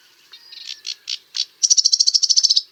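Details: Sedge warbler song starting with soft, hesitant churring notes that build into a loud, fast, even trill of high rattling pulses near the end.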